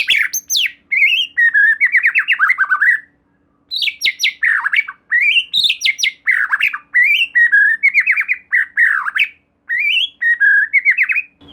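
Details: White-rumped shama song played as a lure to make another shama sing, from Sumatra, Peninsular Malaysia and Java: loud bursts of rich whistles, rapid trills and buzzy slurred notes in phrases of two to three seconds separated by short pauses.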